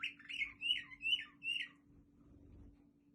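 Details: Waterslager canary from Quetta: five clear wavering whistled phrases about three per second, then quiet with a constant low hum.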